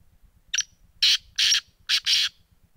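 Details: Black francolin calling: a phrase of five harsh, loud, rasping notes, one short and thin followed by longer grating bursts in pairs, over a faint steady low ticking rhythm in the background.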